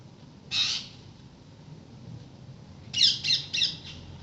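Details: Daily-visiting parrots calling near a house: one loud rasping squawk, a pause, then a quick run of four grating squawks.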